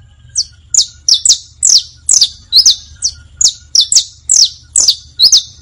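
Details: Saffron finch singing, for teaching young birds the bastos, pintos and finos styles: eleven bright, high notes sliding steeply downward, spaced irregularly about half a second apart, with soft background hum.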